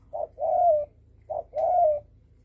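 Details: Spotted dove call used to provoke other birds: two repeated low cooing phrases, each a short coo then a longer falling coo, about a second apart, with a faint low hum behind.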